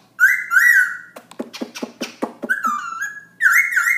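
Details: Black-throated laughingthrush singing at night around 11pm: a long clear whistled note near one pitch, a run of sharp dry clicking notes, then sliding whistles and another sustained bright whistle.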